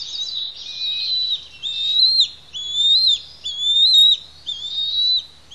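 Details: Pair of young bald eaglets begging during a parent's feeding visit on their Santa Cruz Island nest; clear, shrill whistled notes, each slightly rising then dropping, repeated about once a second in a steady insistent series.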